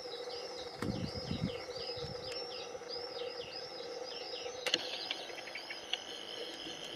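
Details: Fledgling European greenfinches, the first juveniles of 2021 in a garden, being fed by the male, give rapid, repeated high begging chirps, several per second, over a steady low hum and brief rumbles.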